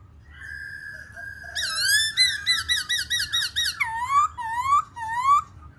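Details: A captive Black-throated laughingthrush sings and displays: a long steady whistle, then a fast run of rich wavering notes ending in rising whistled phrases about twice a second, with slight room hum.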